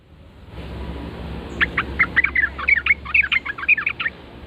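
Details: Yellow-vented bulbul answering a lure call with a lively run of bubbly, warbling chirps that begins about a second and a half in and continues to the end.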